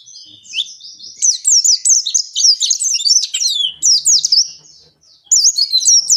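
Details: Lively 'ngalas' song of an oriental white-eye, intended to make captive white-eyes start singing: a soft start, then a long, fast chain of thin, swooping whistled notes, a brief pause near five seconds, and more twittering.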